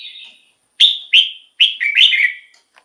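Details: Red-whiskered bulbul, recording used as a decoy or to rouse caged birds, gives a soft whistled phrase then loud quick chirpy notes rising and falling in a short tumbling sequence.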